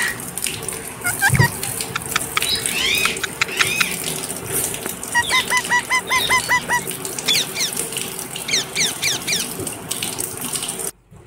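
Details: Pet parrot giving a series of clear, harmonic calls, several short rising and falling notes in quick runs, with a steady hum and household noise behind and a brief low thump near the start.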